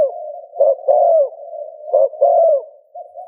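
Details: Spotted dove 'gù' cooing, played to get another dove cooing: two clear phrases, each a brief note then a longer falling coo, followed by a faint start of a third, with a low steady hum throughout.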